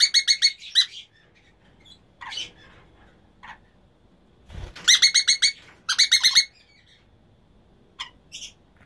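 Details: A breeding pair of Emma's conures trading short bursts of rapid, harsh squawks and isolated single notes, with a dull low thud near the middle and quiet gaps between calls.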